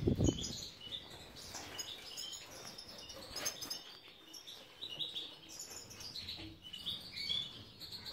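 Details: European goldfinches, subspecies major, in a breeding aviary in Ioannina, Greece. A thump opens, then scattered high tinkling notes and twitters follow, with low background noise.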